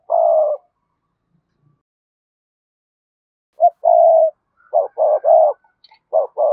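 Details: Spotted dove of the cườm sa type: one long low coo, a long silence, then a burst of short and drawn-out coos, repeated in quick pairs and triplets.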